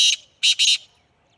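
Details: Black francolin from Sindh, Pakistan, uttering three loud, rasping, buzzy notes: a single note followed after a short gap by a quick pair, with a quiet background.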